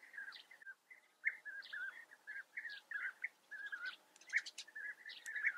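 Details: Lively flock chorus of European bee-eaters, Eifel, Germany: mellow trilled notes tumble over one another about once a second, and near the end a burst of high, clicking tones from another source briefly joins in.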